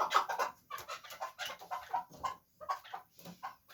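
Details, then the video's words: A fighting chukar partridge utters short, throaty chuck notes in loose groups, with a brief quiet spell near the middle before the calling resumes. "Кабки ҷангӣ"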